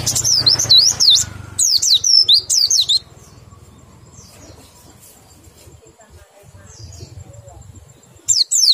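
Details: White-eye described as lacking breeding drive, giving a short burst of high downslurred whistles, then a long quiet spell with faint background hum before a few more sharp notes at the end.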